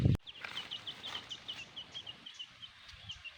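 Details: Black hen with her chicks: a steady run of short, high peeps repeated several times a second, following a brief loud thump at the start, over a low rural background rumble.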